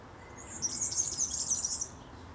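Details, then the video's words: Song of a European serin in a Berlin graveyard: one rapid, very high, sizzling jingle of tightly packed buzzy notes lasting about a second and a half, loud and clear over quiet background. "The European Serin (Serinus serinus) song."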